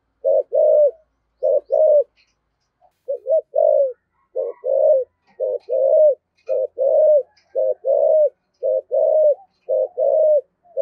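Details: Decoy spotted dove in the 'giọng thổ' style giving 'thúc gù' cooing: a long run of short, low, hollow coos in quick pairs and triplets, steady for about eleven seconds with brief gaps.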